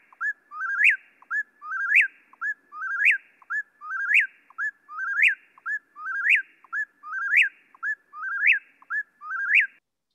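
An Eastern Whip-poor-will repeats its loud, whistled three-part 'whip-poor-will' about once a second, each phrase rising sharply to an emphatic end, with no other sounds.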